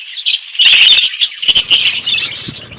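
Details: Chattering budgerigars in an outdoor aviary, a quick tangle of high warbled chirps and short squawks from several birds, brief pauses between bursts.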